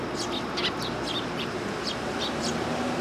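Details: Rapid run of high, thin chips, several per second, from a willow tit coming to be fed at a Tenmangu shrine on 1 September 2022, set against a loud, steady noise bed.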